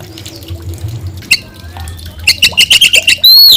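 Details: Oriental magpie-robin singing vigorously: after a quiet start with a soft note, a fast series of about eight sharp, clipped, evenly spaced chips, then a long, loud, high whistled note to close.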